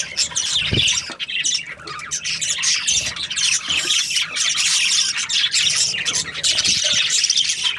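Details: Budgerigar breeding pairs, described as happy, fill the air with a dense, continuous chorus of high chirps, warbles and scratchy squawks from many birds at once. The chatter has no pause, and a few low thumps sound underneath.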